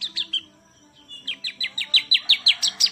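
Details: A few high chirps from a champion bar-winged prinia, a brief gap, then a steady rising series of sharp, downslurred notes repeated about six times a second.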